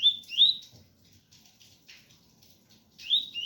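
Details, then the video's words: Double-collared seedeater singing in the ganga 001 style mixed with pure tui tui: two rising whistled slurs near 4k at the start, a soft patter of rain between, then another bright upslurred pair at the end. "Coleiro ganga 001 entre tui tui puro com som de chuva"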